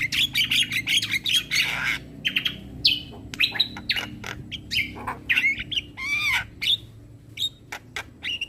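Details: Learning model for young starlings, an Asian pied starling song played every morning: varied squawks, rising and falling whistles and arched warbles in quick, uneven succession.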